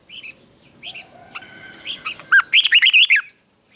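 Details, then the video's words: Red-whiskered bulbul singing a fighting song in morning training: a few short chirps build into a loud rapid phrase of looping, wavering whistles lasting about a second. "Luyện chào mào hót sáng | chào mào hót đấu"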